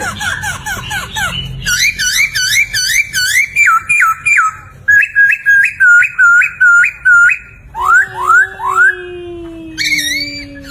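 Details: Vigorous laughingthrush (poksay) master song for training songbirds: series of rapid hooked whistles repeated in several phrases, rising upswept notes, a long falling low whistle, and a final burst of quick notes.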